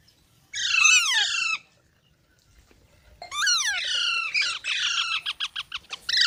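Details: Baby parrots calling with loud, raspy squawks that fall in pitch, then a quick run of short, clipped squawking notes, followed by another harsh call at the end.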